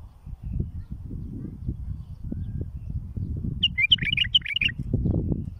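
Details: Bulbul singing for teaching chicks: after a stretch of low rumbling noise, a lively phrase of fast, clear whistled chirps rises for about a second, then fades back into rumble.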